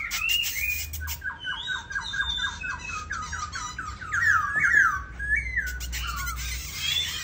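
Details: Black laughingthrush, a pet bird valued for its song and dancing, delivers a fast string of repeated slurred notes, then loud swooping whistles and varied warbled phrases, with faint low room rumble.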